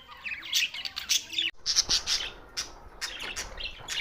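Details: Budgerigars recorded June 7, 2024, Larkana, Sindh: squawky chattering and bright chirps, briefly cut off by a click at one and a half seconds, then continuing.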